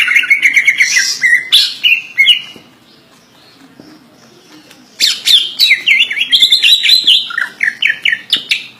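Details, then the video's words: Greater green leafbird, a kept songbird, in a full song loaded with mimicked phrases: rapid varied chirps and slurred whistles in bursts, a pause of about two seconds, then a denser run of rising and falling notes. "cucak ijo full isian"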